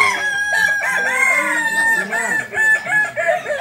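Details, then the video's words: Contest of Balenggek chickens, landiak class, at Ampang Kualo in Solok city; several roosters give chains of short, bouncing, arched crow syllables, overlapping densely and continuously, with faint human voices behind. "Kontes Ayam kukuak balenggek kls landiak"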